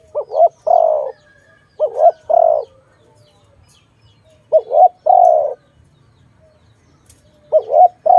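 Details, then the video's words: Dove in a bird-trapping setting gives rhythmic phrases of two quick low coos and one longer coo, repeated roughly every three seconds with quiet gaps between. "Sound of good dove for letting altogether"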